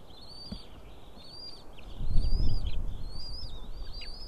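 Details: White-tailed eagle nest in the morning of 20 April 2016 at 7:38: the female feeds three small eaglets on a pile of fish. Thin, high arched whistles come roughly once a second over low thuds and rustling, which grow louder midway.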